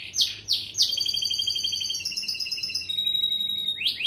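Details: Canary singing a long-breath song: a few rising sweeps, then a sustained high trilled roll held for about three seconds without pause, ending in another rising sweep.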